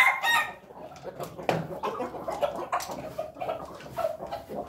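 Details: A Pelung rooster (domestic chicken) crows with a loud opening burst, then a long, wavering, drawn-out crow, over clicks and background clucking.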